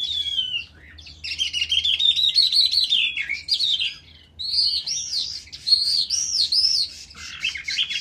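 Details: Skylark (dzhurbai) singing in a ravine: a rapid, continuous, high warbling stream of twittering trills and whistled slurred notes, with brief pauses near one and four seconds, over a faint low hum.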